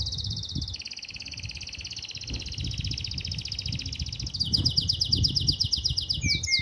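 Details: Canary singing in heat for a female: a long, even, high rolling trill lasting several seconds, followed by a faster, sharper chattering trill and a brief slurred whistle.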